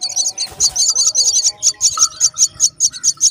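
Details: Brown myna feeding her chicks; a steady run of harsh, hissy, high-pitched bursts repeated about two to three times per second, with a faint lower tone underneath.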